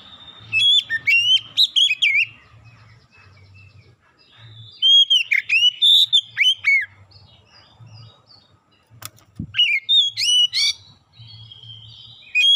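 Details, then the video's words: Oriental magpie-robin lure song to trigger singing in other birds: several bursts of varied whistled phrases, swooping slurs and sharp clipped notes, separated by quiet gaps, one sharp click near the middle, continuous low hum throughout. "PANCINGAN KACER LANGSUNG GACOR NGEPLONG NGOTOT BONGKAR MATERI ISIAN"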